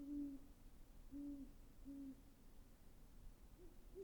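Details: Great horned owl hooting: three deep, even hoots about one second apart, then quiet with faint low background hum.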